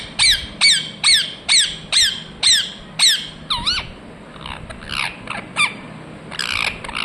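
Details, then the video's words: Ringneck parrot calling in a steady series of about eight loud, sharply descending screechy chirps, evenly spaced roughly every half second, then softer, more jumbled notes. "Ringneck parrot Chirping sounds"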